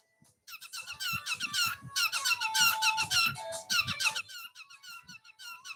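A cockatiel gives a rapid run of bright, squeaky chirps with a harsh, ringing edge.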